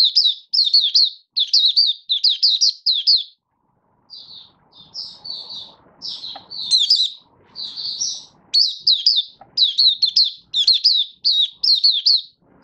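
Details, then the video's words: Oriental white-eye (mata puteh) from Malaysia, kept as a hobby bird and being trained into form, sings its opening song (buka sing) on 1 August 2023: rapid bursts of high, sweet chirps in repeated clusters, with a brief pause midway. "Malaysian Mata Puteh - Buka Sing"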